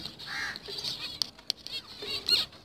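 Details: Short nasal, buzzy beeps from breeding zebra finches, mixed with clicks and fluttering wings in a busy aviary.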